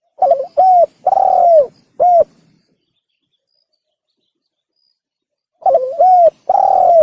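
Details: Spotted dove call for luring birds while hunting: stuttering opening note, short coo, long falling coo and a clipped final coo, then silence before the phrase starts again, crisp and near.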